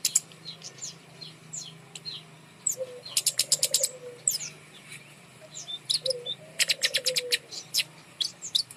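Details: Kemade bird hung up high in a cage, singing to prompt silent birds to sing: sharp high chirps and rapid bursts of clicking notes, with short, soft, low warbling phrases between them and a steady faint hum.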